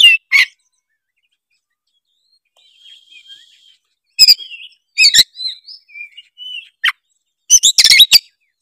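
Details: Oriental magpie-robin singing, offered as a trigger for others of its kind: two sharp notes, a faint drawn-out whistle in the quiet middle, then sudden bright twittering phrases and a dense closing burst.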